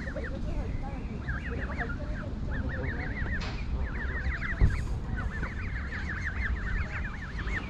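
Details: Several goslings in a York Castle car park peep in bursts of quick, looping squeaks with short pauses between runs. A dull knock interrupts midway over background hum.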